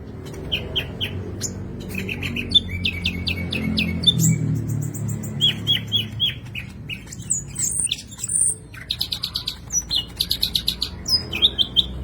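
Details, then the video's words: Green leafbird in full, excited song, loaded with mimicked sikatan londo phrases. Sharp chip series and rattles alternate with bright whistles, ending in a fast run of evenly repeated ticking notes over a low background hum. "CUCAK IJO JAMTROK GACOR FULL ISIAN TEMBAKAN SIKATAN LONDO"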